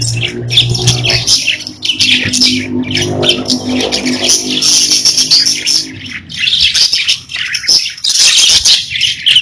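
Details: Pet budgies chirping and warbling in busy high bursts, with low sustained musical tones playing underneath for the first six seconds, then the birds' scratchy chatter alone.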